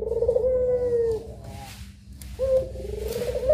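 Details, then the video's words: Puter pelung dove in a cage giving long, smooth, level coos, one lasting about a second, then after a short pause another rising coo; a constant low hum underneath. "PUTER PELUNG MASTERING || SUARANYA BIKIN MERINDING"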